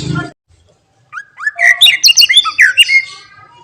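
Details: Greater green leafbird singing a mimicry-rich phrase: a dull thump at the start, a pause, then rising whistles building into a dense, rapid jumble of bright chirps and slurred notes that trail off softly.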